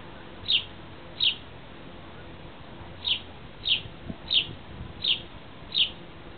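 A sparrow gives short, high single chirps, about eight in six seconds at an uneven pace, over a faint low background hum.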